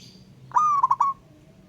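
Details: Local wild zebra dove, ngayer singing aimed at a rival: a single clear phrase, a level cooing note that breaks into three rapid clipped coos.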